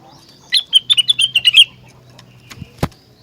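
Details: Rengganis song, said to set other rengganis singing: a single quick run of about eight bright, high chirps lasting about a second, followed by a few sharp clicks over a low hum.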